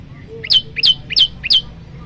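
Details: Loud 'tembakan' song variation of a prenjak lumut (ciang ciang) prinia, recorded as a training master for caged birds: four quick, piercing two-part chirps repeated at a steady pace, with faint low background hum.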